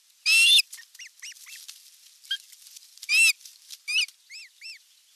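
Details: Osprey at the nest during evening feeding on 30 June 2022, nest camera: loud harsh whistled squeals alternating with thin, arched, whistled chirps, about eight notes in a rapid irregular series.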